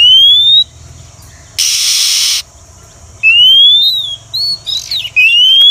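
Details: Female Oriental magpie-robin call used as a trapping lure: long clear whistles sliding upward, separated by pauses and interrupted by a loud burst of hissing noise, with a few short chirps between.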